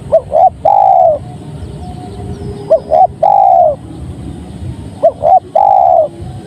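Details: Spotted dove song with three steady phrases, each two quick short coos and then a drawn-out lower coo, spaced roughly two seconds apart against quiet low background noise.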